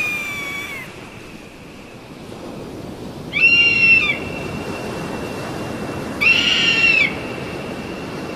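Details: Eagle heard in three short, high whistled calls spaced a few seconds apart, each slightly wavering and falling at the end, over a broad rushing background noise.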